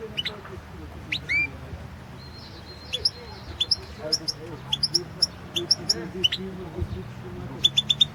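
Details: Championship goldfinch song, 2016: a European goldfinch gives upward-sweeping whistles, then a lively run of high chirps and twittered notes at a quickening pace, with low steady background noise.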